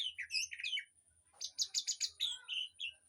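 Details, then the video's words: Birds in an aviary, as tutor song for a white-rumped shama: warbled chirps, then a fast series of six loud, buzzy notes, trailing off into short whistles over a faint low hum. "Suara Burung Di AVIARY//Untuk Masteran Murai Batu"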